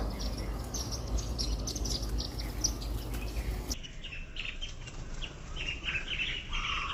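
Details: At a garden bird feeder, Indian silverbills eating millet produce quick bright chirps over a low rumble. After an abrupt cut the rumble disappears, and the chirps become fuller and somewhat lower, in busy overlapping bursts.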